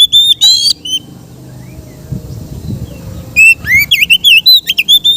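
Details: Oriental magpie-robin, a kept bird, singing relaxed song used to train other kept birds: clear whistled notes, a pause of nearly three seconds, then a rapid run of varied twisting whistles, sweeps and chips.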